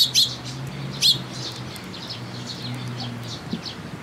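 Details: Sparrows come to a post at a Tenmangu shrine to be fed, 8 June 2022: two loud sharp chirps open, followed by softer quick twitters and a low background hum.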